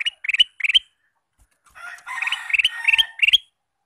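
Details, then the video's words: Three quick clusters of rising, bright notes from a male ruby-throated bulbul that sings all day, then a scratchy, bubbling chatter with more rising note groups over it. "Kicau Burung Kutilang Emas: Gacor Sepanjang hari"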